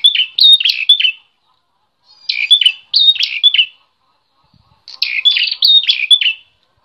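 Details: Aggressive fighting prinia: three long bursts of fast, jerky, high chirping, each about a second long and made of several clipped, buzzy notes, with silent gaps of about a second between bursts.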